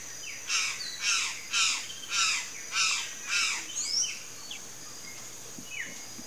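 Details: Palm tanager vocalizing with six loud rasping, buzzy notes at a quick even pace, followed by softer, scattered down-slurred squeaks as the phrase fades out.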